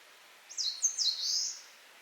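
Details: Eastern crowned warbler singing in Japan, a summer visitor: a short high phrase of sweeping, slurred whistled notes, rising then falling, ending in a long buzzy downslurred note, over quiet background hiss.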